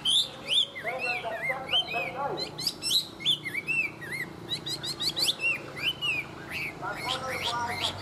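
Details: Tame Chinese hwamei singing well, a rich varied medley of bright whistles, quick trills and sharp upward sweeps, phrases changing constantly, with lower chattering notes near the end and faint background hum.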